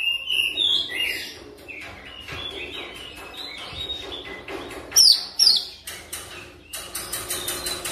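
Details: Oriental magpie-robin lure song meant to trigger fast continuous singing, over a steady broad background hiss: mixed whistles and chips, two loud sharp downslurred notes near the middle, and dense rapid chatter toward the end.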